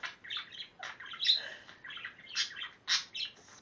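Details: Pet male budgie chattering at its own reflection in a mirror, kissing it and talking to itself: rapid scratchy, buzzy warbled bursts with squeaky high notes, coming in uneven clusters with brief pauses between them.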